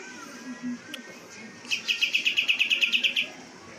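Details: Cream-vented bulbul used as a master bird for contest training, bursting into a rapid, even string of about twelve crisp, piping notes after a noisy pause, over steady background hiss and murmur.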